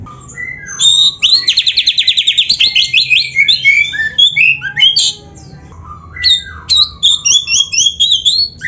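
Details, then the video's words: White-rumped shama (kacer) song used as a training recording for caged birds, a full, varied repertoire: a fast series of about fifteen rapid buzzy notes, then loud whistled phrases, sharp upslurred chips and harsh squawky notes in quick bursts, with faint low hum beneath. "MASTERAN KACER GACOR FULL ISIAN !! - Suara Burung Kacer yang cocok untuk LATIHAN"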